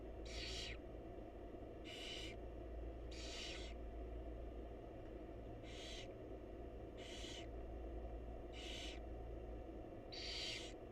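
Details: Inside a wild barn owl nest box during a feeding by the mother, seven rasping, hissy screeches come roughly every one to one and a half seconds, broadband and airy, with a constant low background drone.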